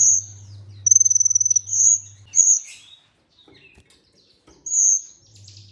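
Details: Olive-backed sunbird (kolibri ninja) singing for a training lure: a fast buzzy trill of very high notes running into long shrill whistles and a descending slur, a pause, then another whistled note; faint low hum.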